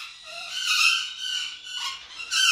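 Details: Male golden conure kept about five years in an aviary, described as quiet: soft, grating chattering calls with harmonic bands, rising and falling in short phrases, with a sharper squawk near the end.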